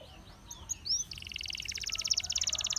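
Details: Gloster canary singing softly at first with faint sweeping notes, then a steady, fast, pulsing trill that grows louder over a slight background hiss.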